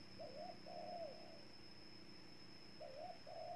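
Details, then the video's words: Distant cooing from a spotted dove in Ninh Thuận, Vietnam. It gives a brief lilting note followed by a longer falling coo, and the phrase starts again near the end. A constant hiss and low hum are present throughout. "Cu Gáy Ninh Thuận"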